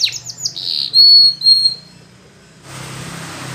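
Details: A Spanish Timbrado canary sings to train other canaries. Short falling chirps lead into pure sustained whistled notes, then the song stops and a broad hiss of noise follows.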